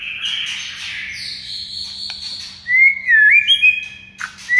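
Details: White-rumped shama singing as a master track to stir mute birds; a long buzzy high sweep falling in pitch, then loud rising and looping clear whistles with short high accents.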